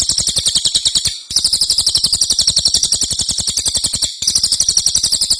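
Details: Ashy tailorbird in lively song, recorded as training material for other songbirds. Three long bursts of fast, sharp, very high repeated notes are split by two short silent gaps.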